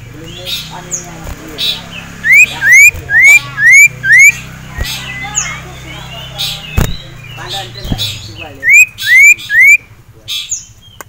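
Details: Male common iora (sirtu), caged and agitated on seeing a rival male and a female. It gives loud, clear, upslurred whistles repeated about twice a second in two runs, over faint background chatter and clicks.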